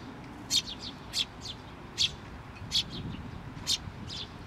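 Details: Chick perched atop a post at a Tenmangu shrine, 16 May 2023, calling while the parent comes back; bright, sharp chirps about every three-quarters of a second, each trailed by softer echoing notes, against a low rumble.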